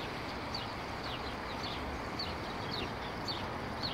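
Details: Plump house sparrows in street bushes by a bench on Akademika Zelinskogo Street near Vavilova Street, 12 April 2019; short high chirps about twice a second, partly masked by steady city traffic rumble.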